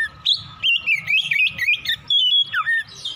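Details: Oriental magpie-robin singing in the morning, quick choppy bursts of whistled warbles, a falling slur near the end, with a faint low hum beneath.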